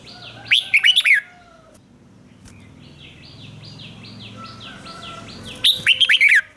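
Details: Red-whiskered bulbul song played for young birds to learn: two bursts of rapid bright whistled notes at start and end, with a steady series of thin, repeated high chirps from another bird between them.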